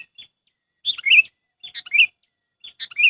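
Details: Trapping lure call of a sooty-headed bulbul: three quick bubbly phrases, each a sharp opening note followed by a rolling, slightly descending chirp, spaced under a second apart in silence.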